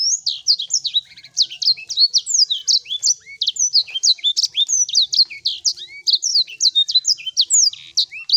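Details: Sanger singing as a lure to bring a bird that has stopped calling back into song. Very high, crowded chattering of sharp chirps and downslurred notes, with occasional rising whistles, packed tightly for the whole stretch.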